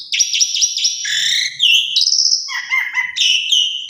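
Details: Asian pied starling singing as a lure for other starlings: rapid wavering whistles, then long steady whistled notes and buzzy lower phrases, continuous and loud.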